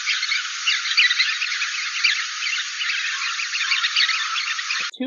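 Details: Chestnut-collared longspurs (Calcarius ornatus) in winter grassland in Arizona (Las Cienegas/San Rafael), a noisy moving group chattering busily with overlapping two-part 'keetle-dee' flight calls.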